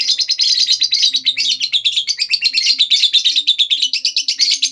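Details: Lovebird giving a long ngekek chatter used as a lure to set other lovebirds singing: a dense, rapid, buzzy high trill of fast notes running unbroken for about five seconds, with a faint low hum beneath.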